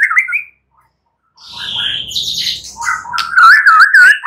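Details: Night lure song of a white-rumped shama to make birds sing freely; short warble, a pause, a buzzy high rasp over a low hum, then loud looping whistled notes.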